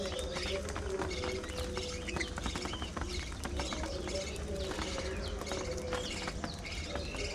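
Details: Pet parakeets (budgerigars) chirp during a meal of seeds and veggies: rapid, overlapping squeaky chirps and warbled notes from a group of birds, over steady clicking of beaks pecking food.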